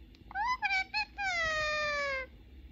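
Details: Talkative pet ring-necked parakeet, male, conversing with a mobile phone in Persian and English: three quick clipped syllables, then one sustained, bright, slightly falling tone lasting about a second, with a low room hum beneath.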